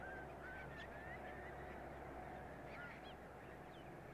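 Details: Bar-tailed godwits gathered at Lytton Claypan in Brisbane, Queensland, 1 April 2023, Canon R7 recording: brief whistled calls from several birds, rising then falling, about three per second and uneven, over constant background noise.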